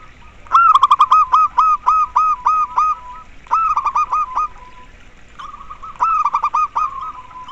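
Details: Local zebra dove singing, recording meant to stimulate other doves to sing sooner: bursts of rapid stuttering clear notes running into lower, softer trailing coos, three phrases with short gaps between them.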